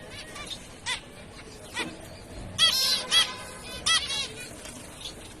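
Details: Zebra finch giving short, nasal, harmonic-rich calls: a few faint ones first, then three loud calls in the middle spaced under a second apart, over steady background hiss.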